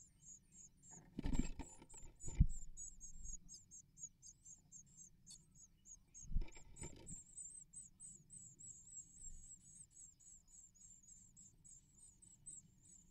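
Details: Great tits at the nest in 2024, where both parents of the pair feed their nestlings insect prey. Very high, thin chirps repeat rapidly, several each second, running steadily throughout, broken by a few dull thumps and rustles.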